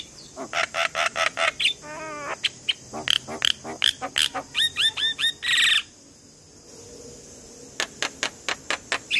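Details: Morning Javan myna singing, used to coax young mynas to sing: fast series of harsh buzzy notes, a nasal wavering phrase and short rising whistles, then a pause before more rasps.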